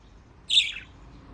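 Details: One buzzy, slightly falling chirp from a pet budgerigar playing in water in Japan, short and clear against a quiet background.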